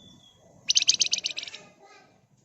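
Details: Singing Flamboyan bird, energetic and used to lure other birds into answering: one short burst of about a dozen rapid, shrill chattering notes lasting under a second, fading at the end, over a faint low background.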